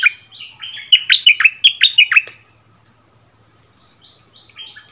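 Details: Song duel between a returning decoy bulbul and a new resident territory holder, recorded February 2021: a rapid run of loud, liquid, down-slurred notes, then quiet, then faint distant answering phrases.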